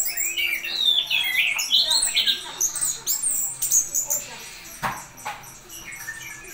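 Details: Orange-headed thrush delivering a dense stream of varied high whistles and twittering phrases that fade toward the end, with a couple of faint clicks.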